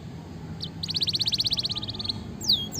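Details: Energetic canary song meant to prompt a quiet canary to sing: one brief note, then a steady rapid trill of about fifteen notes, followed by a high descending whistle.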